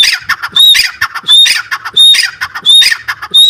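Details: Partridge (teetar) call: loud, harsh squawking phrases repeated about every 0.7 seconds, each ending in a short clear whistled note, with quieter clicks between phrases.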